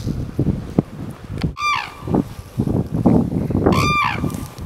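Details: Red-crowned cranes dancing on Hokkaido, Japan, in March 2012: two loud, ringing trumpeted calls about two seconds apart, rich in overtones, over a steady rumble of wind and handling noise.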